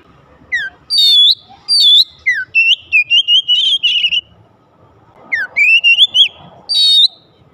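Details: Magpie-robin song meant to spur rival magpie-robins to sing: rapid strings of bright, slurred whistles with downward swoops and a long wavering phrase, then a pause and a final rising whistled run.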